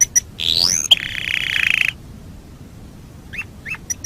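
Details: Canary singing as a training master: a sustained buzzy whistle of about a second and a half, followed by silence and a few scattered short upward-flicking notes.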